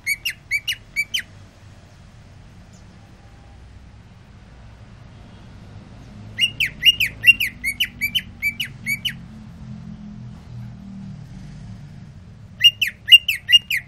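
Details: Greater green leafbird, freshly sunned and cooling off, repeats short bursts of quick, sharp whistled notes, separated by long silent gaps of several seconds, with low steady background rumble.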